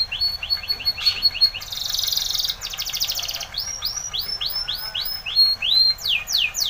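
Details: Spanish Timbrado canary performing training song: quick repeated chips, a loud metallic rattling trill, then a long run of rounded whistled notes repeated about three per second, with faint background hum.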